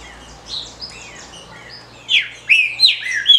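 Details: Faint chirps at first, then four loud, sharp descending notes near the end: calls of a captive female green-winged saltator used to rouse males.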